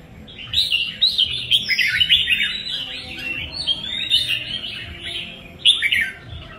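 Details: Red-whiskered bulbul song: rapid, bubbling warbles and slurred whistles delivered almost without pause, with a bright accented burst near the end and quiet low noise beneath.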